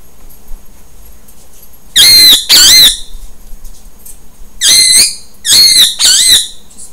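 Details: Rose-ringed parakeet (Psittacula krameri), a 2-year-old female violet Indian ringneck, angrily squawking from across a room out of jealousy at her owner holding a lovebird: five loud, harsh, shrill, wavering squawks in two bursts over faint indoor hum.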